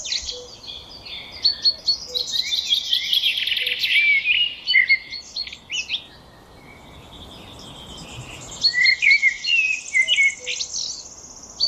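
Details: Birdsong: several birds twittering with bright chirps and short trills, busy at first, a quieter pause midway, then more chirping, over a soft background hiss.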